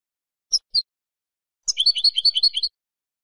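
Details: Spanish European goldfinch singing: two short high separate notes, a pause, then a quick one-second burst of bright, liquid twittering trills in the upper register. The background is silent.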